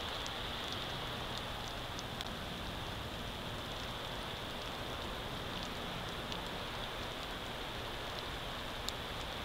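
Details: Rainfall drums steadily with scattered drop ticks, and no animal sound.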